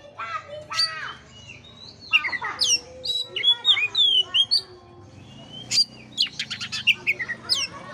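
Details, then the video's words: Song of an Oriental magpie-robin, meant to rouse a bird lacking vigour: busy sequence of sharp chirps, fluty slurred whistles and quick buzzy trills over a low rumbling background. "pancingan kacer jitu dan ampuh buat kacer loyo kurang ber gairah"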